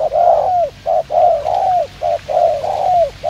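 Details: Spotted dove kept as a trapping decoy, cooing fast in the 'gù tốc độ' manner: short clipped notes alternate with longer mellow coos that droop at their ends, in steady quick succession.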